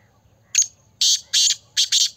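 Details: Kala teetar, the black francolin, in Pakistan, calling a harsh rasping phrase of five notes: a brief first note, two drawn-out grating notes, then a fast double ending, with near silence around them.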